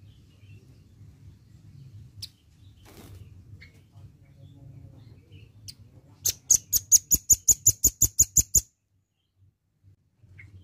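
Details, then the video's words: Velvet-fronted nuthatch giving a quick run of about a dozen sharp, high chips, roughly five per second, over a low steady hum; used as a lure call. "BUNYI BURUNG RAMBATAN PARUH MERAH"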